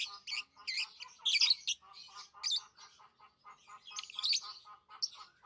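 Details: Pet lovebirds, tame birds, giving a busy run of shrill, squawky chirps. A steady series of lower, evenly pulsed notes repeats underneath throughout.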